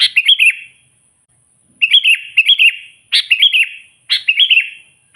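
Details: Natural recording of a sooty-headed bulbul challenging wild rivals: a series of chirpy, warbling phrases of a few jumpy notes each, repeated roughly once a second after an early pause.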